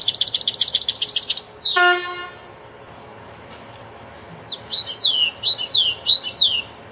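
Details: Linnet × canary hybrid singing a goldfinch-style song: fast buzzy high trills, then a single descending sweep with a stacked tonal note. After a quiet pause come bright chirping, twittering phrases.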